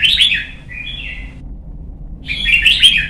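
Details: Young caged Red-whiskered bulbul trained for competition singing: a rolling warbled phrase and softer whistle, a pause, then another loud bubbling phrase.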